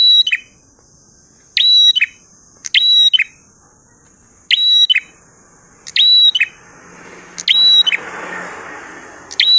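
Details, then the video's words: Energetic prinia song in the 'ngalun' style: bright bursts of sharp chips with a brief high whistle, given in irregular phrases roughly every one to two seconds; a soft rushing noise rises near the end. "Prenjak Gacor Ngalun Syahdu"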